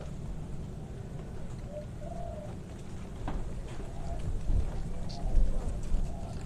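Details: A contest-champion Spotted dove from a Yogyakarta competition gives soft, low, hollow coos in short phrases, partly masked by a steady low rumble and faint background noise.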